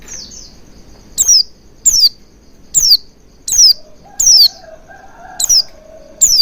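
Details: Oriental white-eye recording used to coax a bird into full song: sharp downslurred chirps repeated roughly every 0.7 seconds, one doubled, with a faint tonal whine behind them midway.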